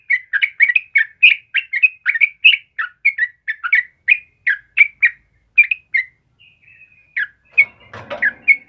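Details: Energetic chirping song of a yellow-vented bulbul used as a master recording for caged birds: steady rapid notes, then softer drawn-out whistles and a dull knocking thud near the close.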